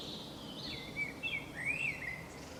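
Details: Common blackbird song on the Camino de Santiago, Zamudio, 28 March 2019: a flowing phrase of several liquid, swooping whistles, opening beside a fainter higher hissing band.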